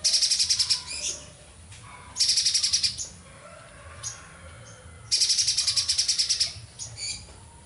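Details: Streaked spiderhunter in energetic song, giving high, dry rattling bursts of fast repeated notes, each under a second, separated by short pauses filled with faint chirps and drooping whistles.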